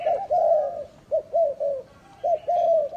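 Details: Caged spotted dove kept as a lure bird in Vietnam, cooing in soft, hollow, slightly falling notes grouped in short bursts, one phrase after another.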